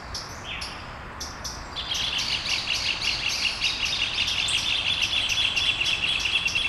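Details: Small birds singing at dawn in Brasília, Brazil: a few separate high chirps, then a dense run of rapid twittering notes that continues steadily to the end.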